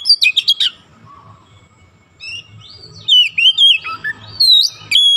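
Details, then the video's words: Magpie robin (kacer) singing after being coaxed: a quick burst of sharp notes, a lull with faint murmuring, then looping whistled phrases rising and falling several times. "sekali pancing Kacer langsung on buka paruh gacor"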